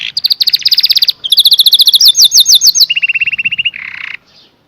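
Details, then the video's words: Canary song made of rapid trilled phrases, each a fast series of repeated chirps, shifting to a lower rolling trill and a short buzzy note before falling quiet. "The most Beautiful Sound Of Canary - Canary Singing"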